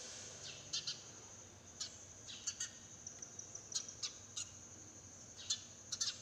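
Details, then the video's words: A sparrow gives short, bright chirps, singly or in quick pairs, at an irregular pace, in a garden in the early morning, over a steady high-pitched hiss, perhaps insects. "Chirping sounds of sparrow"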